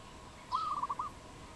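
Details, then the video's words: Wild dove in Cambodia, 22 April 2020: a single clear, fast series of about five clipped cooing notes at mid pitch, with a faint steady hum behind. "លលកដី ឬ លលកបាយ? Dove, นกเขา, Bồ câu"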